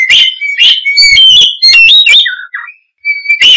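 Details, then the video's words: Oriental magpie-robin in vigorous song: loud sharp notes, high thin whistles, quick rising and falling slurs and low burry notes, with a short pause before a final burst. "Suara Kicau Burung Kacer - Ngoceh Gacor"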